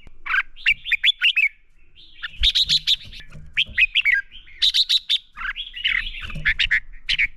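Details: Lure red-whiskered bulbul giving its fighting song for training birds: quick strings of bright, slurred whistles in rapid phrases, several bursts back to back with brief gaps, some low thumps beneath.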